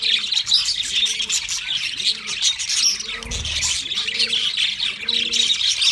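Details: Constant high, scratchy twittering and chirping from a group of kept budgerigars, backed by a steady low hooting that rises and falls roughly once a second, plus a short dull knock midway.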